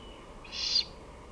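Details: Great horned owl recorded on 23 May 2018 at 5:53 pm, giving a single harsh, hissing screech of about half a second over a quiet, faintly noisy background.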